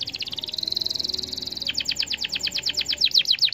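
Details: Canary song used to spur other canaries to sing: a high, rapid, pulsing trill that merges into a steady buzzy tone, then a quick run of sharp, evenly spaced chirps.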